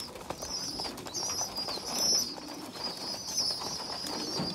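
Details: Young pigeons, a small underdeveloped one feeding larger siblings; sustained high, thin peeping that rises into brief trills, with faint low murmurs beneath and light rustling.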